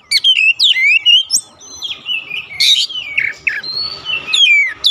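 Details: Oriental magpie-robin singing to provoke other magpie-robins: rapid slurred whistles and a harsh buzzy burst, followed by a long steady whistled note and falling whistles.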